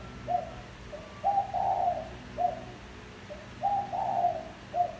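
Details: Spotted dove calling as a decoy for wild doves: a short coo, then a longer swelling two-part coo, repeated twice over a hissy background.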